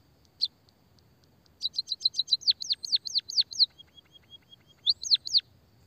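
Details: Munia (pipit/emprit) lure recording to get silent birds singing: one chip, then a rapid roll of high ticks turning into strong descending chirps, a soft thin trill, and three final down-slurred calls.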